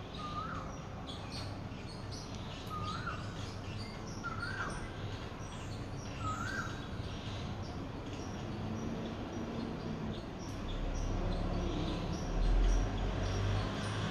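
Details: A rescued captive Barred eagle-owl (Bubo sumatranus) at dinner time gives four short, hoarse, slightly rising begging calls about two seconds apart over a low rumble. It is fed at dusk and dawn and calls out for food.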